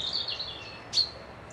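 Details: Brief high whistled phrase from a bird at a lakeside lodge in Dundee, wavering, then ending in one sharp, loud note.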